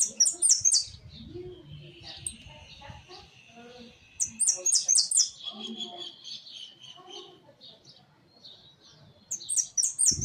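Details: Hooded siskin in a large cage, delivering three loud bursts of rapid, very high repeated notes at the start, middle and end, with a thin sustained whistle and busy bird chatter in between.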